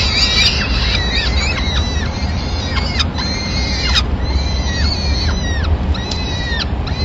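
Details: Peregrine falcons at a nest in Madrid, Spain, on 26 April 2016, as the male brings the day's first food, a small bird, to feed the chicks; harsh, arched, harmonic calls repeat rapidly over a steady low hum.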